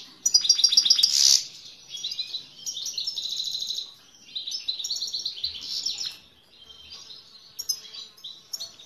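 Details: Himalayan goldfinch singing toward a female: a loud buzzy trill opens, then phrases of high tinkling twitters and rapid chips separated by short pauses, trailing off quieter at the end.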